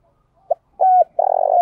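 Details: Decoy spotted dove in 'thúc' cooing style to lure wild doves. A short note, a level coo, then a long rolling coo that is cut off at the end.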